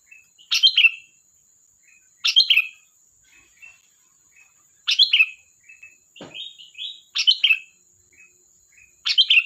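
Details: Sooty-headed bulbul repeats a loud bubbly phrase about every two seconds, five times in all, with soft chirps between and a steady faint high whine behind.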